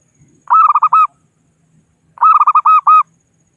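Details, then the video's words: Zebra dove of the local strain, calling rivals as a trapping lure, delivers two matching phrases of rapid rolling coos about a second and a half apart, each closing on a longer note, in near silence. "Suara Burung Perkutut Lokal Pikat Gacor Ahlinya Memanggil Lawan"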